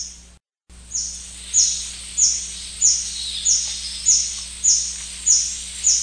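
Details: A White-bearded hermit (Phaethornis hispidus) along the Shiripuno River gives a steady call series of thin, very high squeaky notes, about one every half second, over a faint low hum.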